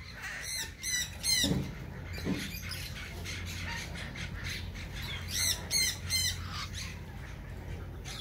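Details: Captive Meyer's parrot (Poicephalus meyeri) at a parrot farm in Kfar Hess, giving harsh, raspy squawks in quick bursts of three or four notes, two bursts several seconds apart, over a low steady hum.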